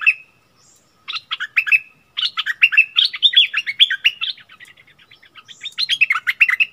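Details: Bulbul dueling fiercely with a wild bird on 27 March 2021, both refusing to back down. Brief opening note and pause, then long, energetic runs of warbling chirps and whistles.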